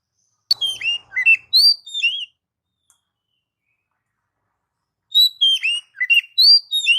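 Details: Oriental magpie-robin song meant to stimulate pet magpie-robins, in two phrases of clear whistled notes, falling slurs and crisp chips with a long silent gap between them.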